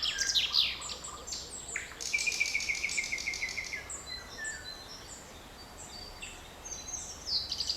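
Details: Forest birds singing on 7 May 2020: a dense burst of high rapid twittering and a rattling trill, followed by many distant thin whistles from several birds.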